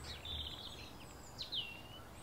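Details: Shiny cowbirds in a flock give thin, high whistled notes, including quick sweeping slurs that rise and then fall, set against faint low background rumble.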